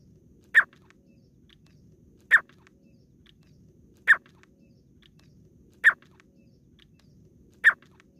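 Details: Grey francolin female, local desi bird, giving a lure call used in hunting: five brief clipped notes repeated steadily about every 1.8 seconds over a quiet low background hum.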